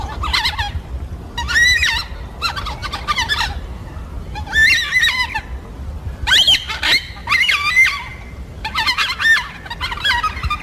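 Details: Harsh, rich, repeated cries from yellow-tailed black cockatoos, social birds that feed in groups of four to five and call to each other. Calls come in short bursts about every second, with steady background noise.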